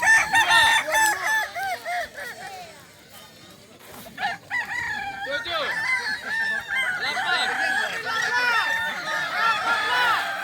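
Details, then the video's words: Kokok Balenggek cocks competing in a crowing contest in Solok Regency, loud layered crows, a brief quieter lull midway, then many birds resume with quick repeated stepped notes. "Lomba ayam kukuak balenggek di sirukam dairy farm kab solok"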